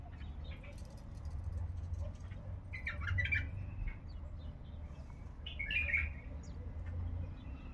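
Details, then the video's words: Heavy-voiced caged male bulbul, Baghdad, delivers two short fluty, slurred phrases about three seconds apart, with persistent low-pitched rumbling noise throughout. "بلبل مخلف حنجره ثكيله"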